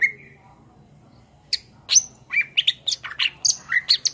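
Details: Greater green leafbird (cucak ijo) song used for training cage songbirds: a short whistle, a pause, then a quickening series of sharp, varied chips and slurred notes.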